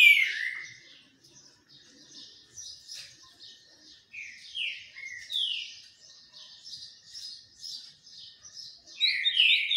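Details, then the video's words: Green-winged saltator singing during a sun bath, giving loud slurred whistled notes at the start and end, with a steady backdrop of high chattering chirps from other birds between phrases. "trinca ferro cobra no banho de sol"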